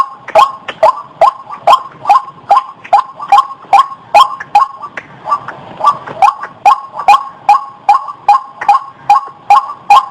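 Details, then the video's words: Series of short upswept white-breasted waterhen notes used to lure birds, about two and a half per second, with a brief softer, slurred pause near the middle before the rhythm resumes. "SUARA BURUNG RUAK UNTUK PIKAT"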